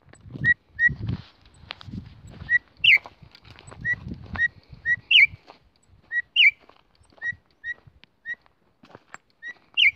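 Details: Female Campo troupial call, possibly one that excites males: short, clear whistled notes in quick pairs, broken every couple of seconds by a louder rising-and-falling whistle, over soft low thumps.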